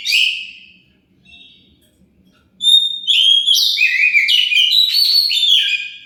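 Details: Song of an Oriental magpie-robin played as a lure to get other birds to answer. A short whistled burst is followed by a pause, then a long, loud stream of varied whistles, trills and buzzy notes.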